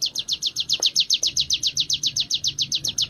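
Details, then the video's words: Ngebren-style song from a Sunda warbler (ciblek gunung) under training: high, bright notes repeated rapidly and evenly, roughly eight each second, with a few faint clicks and a low murmur in the background. "burung ciblek gunung gacor latihan ngebren"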